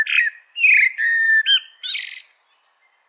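A blackbird sings a quick, varied phrase of clear whistles and slurred notes, ending in a buzzy burst and a high thin whistle.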